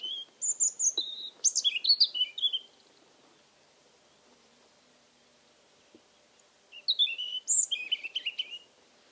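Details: Robin singing at dusk around an old house in Portugal's Alentejo, mid-October 2014, warm and humid as in summer: two tumbling phrases of high, thin whistles and quick warbles separated by four seconds of quiet.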